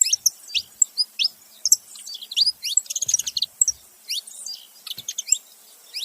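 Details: Saffron finches, a male and a female together, calling: a busy stream of sharp, high, downslurred chirps and short trills, clustered in bursts and overlapping, with a brief pause near the middle.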